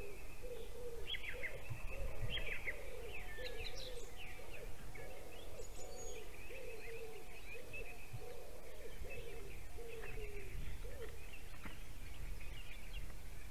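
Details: Male white-tailed eagle at a nest in Durbe, Latvia, at 7:45 pm on 11 April 2020, before hatching, gives about fourteen short yelping notes at a steady pace, calling his mate for a nest change-over; small birds chirp, wind rumbles.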